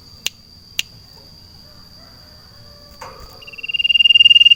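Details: Sirtu in a cage outdoors in a garden: two sharp clicks, a low rustle, then a rapid high trill begins and grows steadily louder. A continuous high-pitched hum lies underneath.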